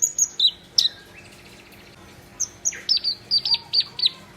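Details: Black-browed reed warbler singing energetically, mixing high thin whistles and downslurred notes with rapid chattering chips, about two notes per second, in uneven bursts separated by a short pause.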